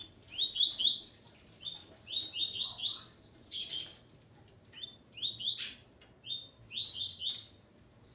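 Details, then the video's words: Repeated short phrases of rising, buzzy chips from a male Coleiro accompanied by his female, the notes stacking upward in quick succession, with brief gaps between phrases and faint background hiss. "Coleiro Ponto 50 e sua Fêmea Calibre 40."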